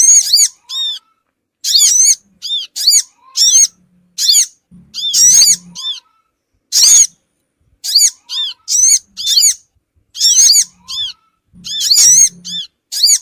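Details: Lure call for small birds such as the sogon: short bursts of thin, high chirped notes, each burst a quick cluster, repeated in an irregular series against a silent background.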